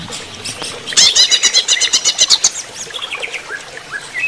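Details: Cucak ijo, the greater green leafbird, sings during running-water therapy: a loud, rapid stream of high chattering notes for about a second and a half, followed by quieter thin, slurred whistles.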